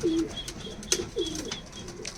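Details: Punjabi Malwai pigeons kept in Canning, South 24 Parganas, West Bengal, India: short low cooing notes, one at the start and another after about a second, with sharp clicks and light rustling between them.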